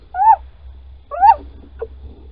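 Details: Little owl male calling at Holten on 16 March 2020, 10:25 in the morning, while the female digs a nest scrape: two clear mewing calls that rise then drop, a second apart, followed by one short clipped note.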